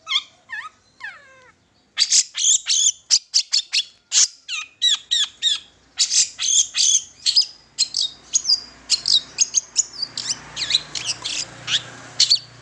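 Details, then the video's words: Long-tailed shrike song meant to set young shrikes singing: a few soft downslurred whistles, a short pause, then a fast run of loud sharp chips and squeaks, with faint low rumble later. "Pancingan Cendet Terbaru 2020 Gacor Dor Bakal Nyaut"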